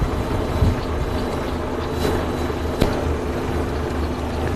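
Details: Steady low engine rumble from a vehicle on a live safari drive, with broadband road noise and a single sharp click near the three-second mark; no animal calls stand out.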